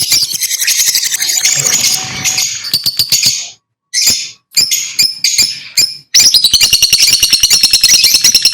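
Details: Lovebirds chirping in sharp, shrill chatter, with bursts separated by brief pauses and quick trains of repeated ticking notes, ending in a long fast series of chirps.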